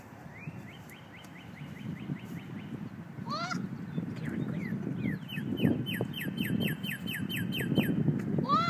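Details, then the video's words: Cardinals calling each other outdoors: a run of downslurred whistles, a louder rising and falling note, then a second longer series of rapid slurred whistles, over steady low background noise. "Cardinals calling each other"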